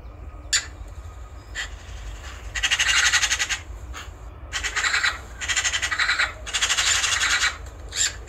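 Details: Eurasian magpie chattering loudly: several long, grating rattles of fast harsh notes, each lasting about a second, separated by single sharp clicks and short pauses.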